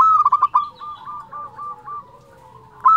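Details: Indonesian local zebra dove with a fluting voice. A loud phrase of quick stuttered coos opens, then quieter doves coo softly in steady pulses. A new loud phrase starts just at the end.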